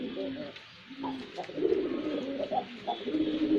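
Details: Male white pigeon performing: a busy stretch of low overlapping coos and short gurgling notes, continuous and fairly loud throughout.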